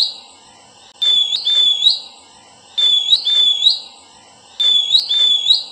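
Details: Verditer flycatcher singing loud high whistled phrases, each a wavering note ending in a quick upward slur, repeated in groups roughly every two seconds in an otherwise quiet setting.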